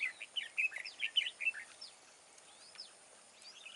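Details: Large red-whiskered bulbul with a wild voice, at a fighting trap. It gives a quick run of short, slurred chirps and whistles, then a pause with a few faint distant notes over steady background hiss.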